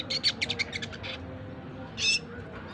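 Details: Young red siskin, four months old, practising its twittering ngriwik song: a quick run of about eight high, scratchy chirps in the first second, a pause, then one louder buzzy burst, over faint low background noise.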